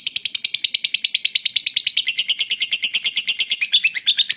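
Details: Long ngekek by a lovebird aimed at rousing rival birds: a rapid, loud sequence of high buzzy pulses, roughly eight per second, rising a little in pitch midway through.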